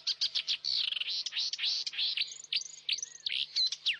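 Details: Young saker falcons calling from their nest in Hungary on 11 May 2012, recorded by a nest webcam: loud, dense, high-pitched wailing screeches, some rising and falling, following one another almost without pause.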